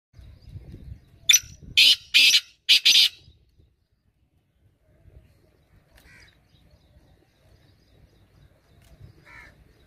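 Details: Black francolin calling: a loud phrase of five harsh, buzzy notes, one short opener then four longer grating notes, followed by near silence with faint low rumble and a couple of soft distant notes.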